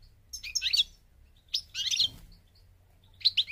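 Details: European goldfinch of the parva form from Morocco, North Africa, singing three short, high twittering bursts spaced about a second and a half apart, with quiet pauses between them.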